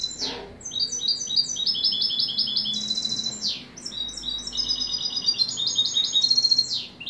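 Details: European goldfinch singing: a rapid, tinkling, high twitter of short repeated notes, with several quick descending slurs and brief pauses between phrases.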